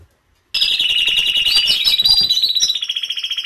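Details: Canary singing to prompt other canaries to sing: after brief silence, a loud rapid high trill bursts in, rolling and buzzy with fast repeated notes and brief upward flourishes, unbroken to the end.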